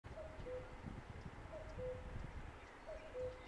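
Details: Common cuckoo (Cuculus canorus) gives its two-note cu-coo, a higher note dropping to a lower one, three times at about one-and-a-half-second intervals over low rumbling wind.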